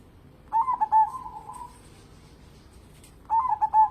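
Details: Local zebra dove, a keen singer kept as a lure bird, sings two bright rippling coo phrases about three seconds apart, each opening with quick stuttering notes and trailing into a sustained hum.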